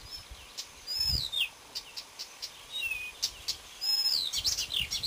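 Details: Marsh warbler in song on 30 May 2010, delivering fast, irregular high ticks, whistled downslurs and buzzy twittered phrases in a continuous varied medley, with a faint low thump early on.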